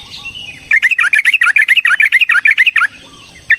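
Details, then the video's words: Yellow-vented bulbul giving a long fighting song used as a lure to provoke another bird: a rapid, stuttering burst of about seventeen bright chirping notes lasting two seconds, then a pause and a final short note. "Suara Burung TRUCUKAN gacor TARUNG ROPEL PANJANG pancingan trucukan agar JADI trucuk gacor EMOSI"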